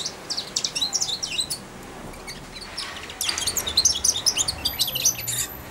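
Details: European goldfinch youngster of four months, caged and fed by hand, babbles subsong on the hand: quick high chattering twitters, a short pause, then a denser, louder run of sharp chirps.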